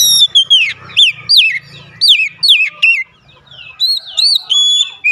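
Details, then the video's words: Oriental magpie-robin song used to prompt singing: loud whistled notes at varied pitches, sweeping down and rising in quick bursts, some with bright overtones, separated by short gaps, with a faint low hum. "pancingan harian Kacer langsung gacor"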